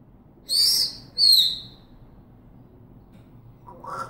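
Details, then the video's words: African grey parrot kept as a pet, whistling: two loud high whistles in quick succession, the second sliding downward, then quiet and a brief lower call at the end; a person speaks afterward. "The African Grey Parrot talking and whistling"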